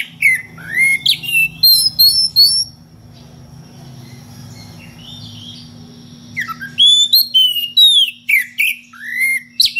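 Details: Oriental magpie-robin in loud ngeplong style calling a rival, with unusual varied phrases: bursts of clear, high whistled notes with rising and falling slurs, a quieter pause mid-way, then another rapid run of sharp whistles; steady low hum underneath.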